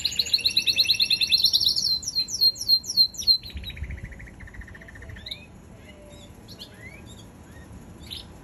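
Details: Canary singing a fast high trill followed by a series of slurred descending notes and a rolling lower trill, then trailing into sparse scattered chirps over faint low background noise.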